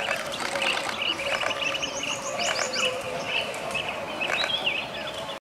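Chestnut-headed bee-eaters give a busy stream of short, bright chirps and rolling trills that overlap steadily throughout, over a constant low background hum.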